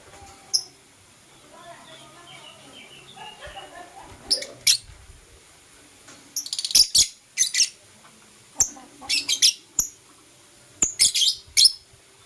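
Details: Pet lovebirds, Blue Opaline and Parblue Euwing Opaline, in morning chirping: soft quiet twitters early, then loud shrill chirps in quick clusters of two to four, repeating through the second half.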